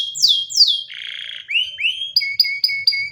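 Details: Short canary song passage. Two high falling whistles lead into a low buzzy roll, then rising slurs and crisp repeated two-tone notes.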